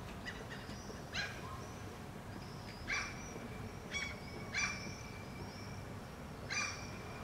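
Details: Two Common Gulls calling back and forth in Helsinki, Finland, in June 2013, later moving closer together; short harsh nasal calls at uneven intervals, with thin high whistled tones between them over a steady low background rumble.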